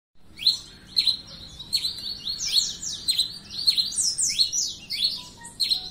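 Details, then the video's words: A Pileated Finch sings at length, giving a quick, steady run of high, sharp chirps and slurred notes, a couple per second, with no other clear sounds. "Tico tico rei cinza cantando muito"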